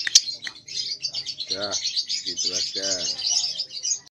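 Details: Lovebird roughly two months old learning to ngekek, its phrases still short: continuous high, scratchy chattering, with several lower, voiced, harmonic sounds breaking through midway.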